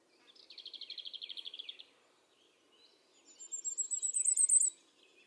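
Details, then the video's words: In the Eifel near Dohr, Germany, a common firecrest sings, recorded with a Sony RX10 IV: after another bird's lower, even trill, a thin, very high run of quick notes rises and grows louder, then ends suddenly. "Common firecrest singing. Sommergoldhähnchen singt."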